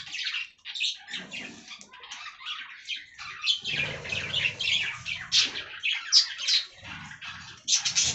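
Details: Budgerigars on fresh green leaves give quieter, broken chatter of sharp squeaks and buzzy chirps, with wing flutters and rustling in between.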